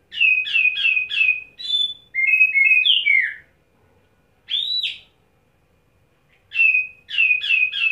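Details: Oriental magpie-robin, called kacer, holding one spot with ngobra display after a wet setting, delivering isian: quick repeated chip series of four notes, a buzzy falling whistled run, an arched whistle, then the chip series again.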